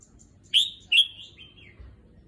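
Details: Red-whiskered bulbul in a cage at a new place, adapting to its new cage, gives two loud whistled notes half a second apart, the second trailing into a wavering, descending tail.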